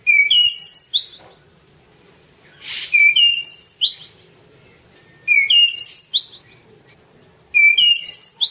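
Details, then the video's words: Anis cendana, the orange-banded thrush, singing for masteran training: a short whistled phrase of descending and rising notes, repeated about every two to two and a half seconds, one breathy burst between phrases. "suara kicau burung anis cendana : masteran anis cendana"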